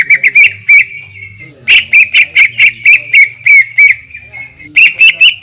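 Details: Greater green leafbird lure song with long 'tembakan' shots, used to provoke other leafbirds: rapid chattering bursts of sharp high notes, each burst a quick run of repeated chips, with short pauses between runs.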